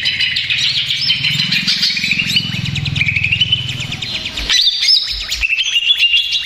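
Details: Restless greater green leafbird, used to provoke other males, sings a long fast medley of sharp chirps and rising whistles, pausing briefly before a final burst.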